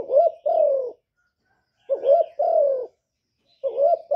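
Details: A spotted dove coos in slow, spaced phrases, each a short rising-falling note joined to a longer mellow croo that sinks at the end, about one phrase every 1.7 seconds, with near silence between.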